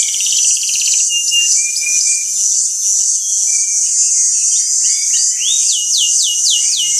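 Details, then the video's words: Five canaries in a training song, with a constant high hiss-like trill underneath; short flat whistles and scattered chips, ending in a run of repeated downward-swept notes. "5 canary birds singing / best training song"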